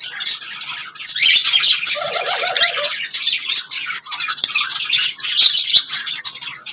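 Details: Lovebirds singing and chirping: bright, rapid high-pitched twittering and squeaks flowing in bursts, with a brief lower warbling patch in the middle.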